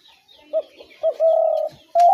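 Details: Spotted dove call used for trapping doves: two brief low notes, then a sustained smooth coo and the start of another long coo, all mellow and steady in pitch.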